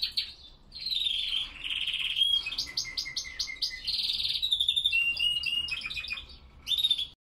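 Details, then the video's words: Cold early-morning song of classic Spanish Timbrado canaries, recorded at 5°C and 87% humidity around 07:46. A continuous chain of varied trills runs through fast pulsed rolls, ringing metallic notes and short whistled phrases. "Timbrados español clasico singing in the cold"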